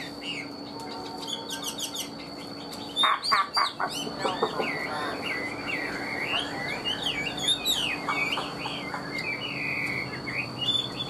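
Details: Captive Chinese hwamei in active song, a long varied run of whistles, trills and sharp chattering notes, louder bursts midway, with a constant electrical hum in the background.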